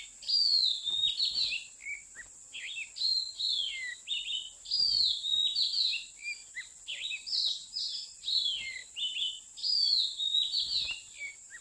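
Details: Wild Oriental magpie-robin recorded during bird trapping by mountain people, 15 August 2016: varied whistled phrases with sweeping, descending notes, given in clusters every few seconds over a constant shrill insect drone, with occasional soft knocks.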